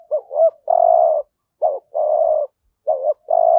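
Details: Spotted dove lure call, 'thúc gù' series in the 'hạp bổi' voice, meant to draw wild doves. Rapid phrases of a clipped rolling note and then a long even coo, repeated roughly every second and a half, in silence.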